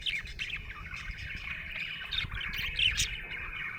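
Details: Budgerigar chirping happily in a steady chatter of quick squeaks and warbled notes, a few sharper peaks near the end, low hum beneath.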